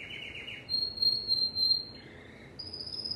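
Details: Timbrado canary giving a low trill, then a pure level whistle-like tone, a gliding softer phrase and a high steady note at the end.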